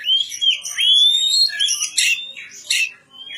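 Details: Village-raised young magpie-robin pours out a loud, busy phrase of rising whistled slurs and sharp chirps with little pause, ending in a softer whistle.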